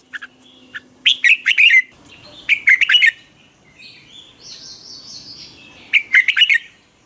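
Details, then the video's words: Red-whiskered bulbul's morning 'hót ché' training song, a lure sound for stimulating other bulbuls to sing. Short bright warbled phrases repeat about every two seconds, with soft higher whistling between them. "Chào mào hót ché luyện giọng quá hay 2020, luyện chào mào hót sáng, cách luyện chào mào hót căng lửa"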